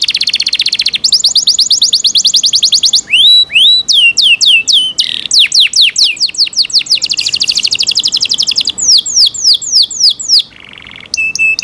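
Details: Yorkshire canary kept by its owners sings loudly: rapid buzzy trills, high rising and falling whistled sweeps, and quick runs of descending notes, separated by brief pauses.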